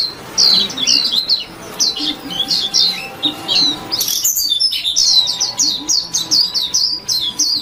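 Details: Chirpy white-eye song: fast, high twittering of clipped, falling notes. Dense chattering phrases run almost without break, with a steady faint tone and low rumble in the background.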